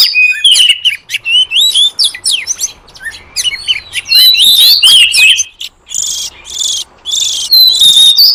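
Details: Oriental magpie-robin lure song, played to draw wild forest birds: loud, clear high whistles sliding up and down, mixed with short harsh buzzy bursts and quick chirps, phrases following each other rapidly with brief gaps.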